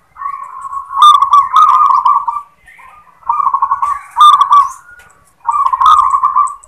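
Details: Local zebra dove singing its "klar ketek kuk" song: three phrases of low, rolling, trilled cooing, each about two seconds long with a sharp clicky start, separated by short pauses.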